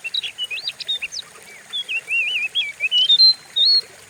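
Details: Oriental magpie-robin song meant to provoke and train other caged birds: clear, sweet whistled phrases, looping wavy notes and rising slurs, spaced by short pauses and ending in long pure whistles.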